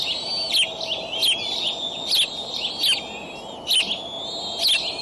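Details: Eagle nest at Decorah, 25 May 2012, early morning, during a raccoon prey delivery by the adult male to three eaglets. High, thin whistled lines with frequent sharp clicking bursts, in uneven rhythm.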